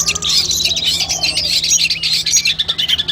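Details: Long-tailed shrike training song for a competition: dense, fast, thin high chatter and short trills with no pauses, over a steady low electrical hum.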